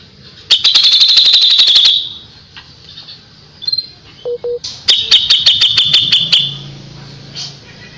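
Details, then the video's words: Kapas tembak, recorded as tutor song for white-rumped shamas: two loud rapid trills of sharp high repeated notes, with a few short whistles and two low clipped notes in the pause between. "KAPAS TEMBAK GACOR JEDA RAPET"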